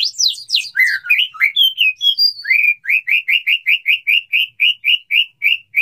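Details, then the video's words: Male white-rumped shama courting a female, wanting to mate: clear varied whistles sweeping down from high notes, then a fast even run of short rising chirps repeated about five times per second. "suara burung murai batu jantan merayu betina, suara burung murai batu mau kawin"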